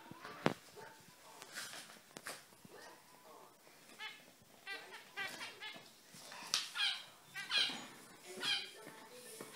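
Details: Zebra finches chirping indoors: scattered clicks and short calls, then a cluster of nasal, harmonic beeps in quick succession over the last few seconds.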